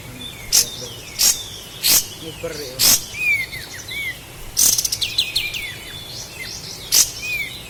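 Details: Sooty-headed bulbul from Lahat, a master recording for training cage birds: short whistled and slurred notes mixed with sharp, loud clicks that recur about every second, plus a quick burst of chatter near the end.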